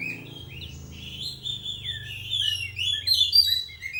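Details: Young white-rumped shama in hard training, singing a continuous run of varied whistled and warbled phrases, sliding and fluttering high notes, busier and louder toward the end, over a steady low hum.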